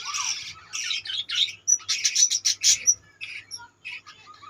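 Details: Several budgerigars in a colony chatter: buzzy warbled phrases lead into a fast run of sharp repeated chirps, about two per second, then softer scattered twitters.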